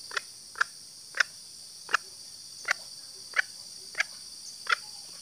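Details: Female green junglefowl call, used to lure males into calling: short, sharp clucking notes repeated roughly every two-thirds of a second in an even series, over a steady high insect drone.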